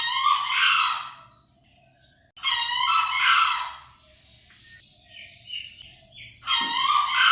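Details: Green junglefowl (Gallus varius) crowing: three harsh, shrill bursts, each about a second long, a few seconds apart, with faint chirps between.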